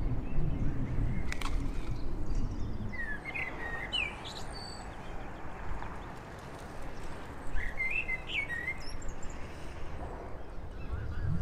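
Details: Eurasian jackdaws in Heemskerk, the Netherlands, collecting horse hair as nest material, utter two clusters of short, sharp calls several seconds apart, with constant wind noise throughout.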